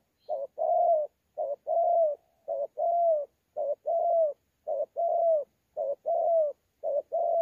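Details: Sa Thầy, 26 November 2019: a wild-caught thổ pha spotted dove cooing in contest style with gù, a steady run of about nine short-then-long hollow coo pairs, each pair under a second apart, no other sounds.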